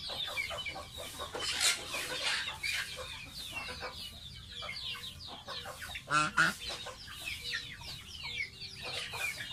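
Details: Pet baby domestic goose bathing; fast, choppy peeping about four notes per second, irregular, with water-like splashes and a sharp knocking burst around the middle.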